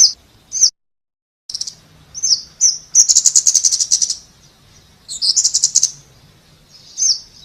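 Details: Very high, thin notes and fast buzzy rattles from a Scarlet-backed flowerpecker, with a brief silent gap near the start and scattered single ticks later.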